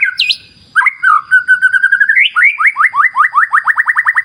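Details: White-rumped shama (murai batu) singing: a sharp swooping note, then a long wavering whistled line that rises into a fast series of repeated upslurred whistles, accelerating toward the end; almost no background sound.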